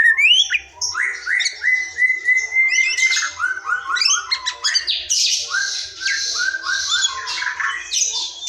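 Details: White-rumped shama from the forest in full song, used to coax silent or young birds to sing; rising whistles, repeated stepped phrases, then loud dense buzzy and scratchy bursts.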